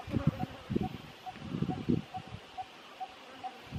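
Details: Malabar barbet (crimson-fronted barbet) in Kerala, India, gives a steady series of short, hollow, mid-pitched 'tuk' notes, about two per second, over low rustling and thumping in the first half.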